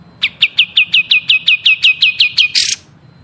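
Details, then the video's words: Chatty songbird in a song training recording gives about twelve evenly spaced, downward-sweeping high chirps, roughly five per second, ending in a short harsh buzzy burst. "Masteran Burung Gacor"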